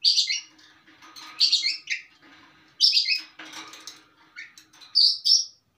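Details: Long-tailed shrike delivering a varied 'mapan' song rich in filler material: rapid scratchy chatters and high squeaky phrases in quick succession, broken by short quieter gaps, over a faint steady low hum.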